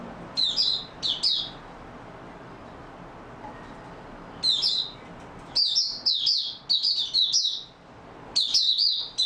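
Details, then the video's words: Mata Puteh (Oriental white-eye) in steady song, 28 February 2022: short high chattering bursts, a longer quiet gap, then a lively sequence of rapid twittered phrases. "Mata Puteh Raja Video 1 buka sing stable form 28022022"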